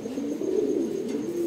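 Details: Racing pigeons cooing as breeding preparation for summer gets under way. Low, warbling tones rise and fall continuously, with overlapping coos from several birds.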